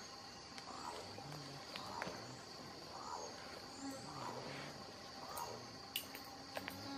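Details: A tawny-tufted toucanet (Selenidera nattereri) near Mitú, Vaupés, in the Colombian Amazon gives a series of low, hoarse croaking notes, roughly one per second, over a steady high insect drone with a few sharp clicks.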